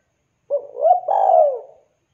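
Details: Single coo phrase from an actively calling spotted dove calling out to companions: a brief soft note, a rising coo, then a long mellow falling coo fading out. Quiet background.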